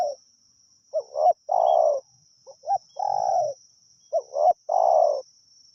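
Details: Cooing of a spotted dove during decoy calling in Pa Roi, with three phrases, each a quick double note then a long rolling coo, against a steady high background whine and faint low knocks.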